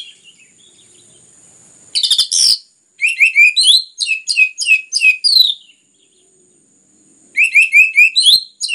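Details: Orange-headed thrush singing rapidly and densely to spur other birds into song: a harsh buzzy burst, then long runs of quick, evenly repeated chirped notes, about three per second, broken by short pauses.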